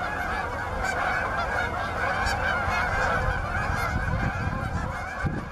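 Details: Canada geese at Bass Ponds, Minnesota, on November 23, 2013, seeking open water: steady massed honking from many birds, rapid overlapping nasal notes over a persistent low rumble.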